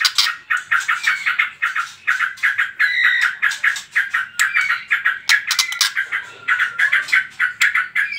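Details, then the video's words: Trotol-style lure song of a white-rumped shama, meant to set other birds singing: dense, fast stuttering notes in quick repeated bursts, with a few clear whistled strands around the middle. "PANCINGAN TROTOL MURAI BATU"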